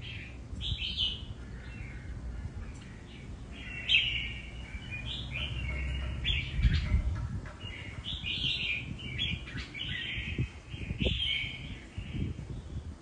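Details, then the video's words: Red-whiskered bulbul singing in the style called nước Hậu: bright, warbled phrases rising and falling, delivered in quick bursts separated by short pauses, over a steady low rumble of background noise. "Cùng xem Nết của 1 CB Cọp với nước Hậu chơi cực đẹp mắt"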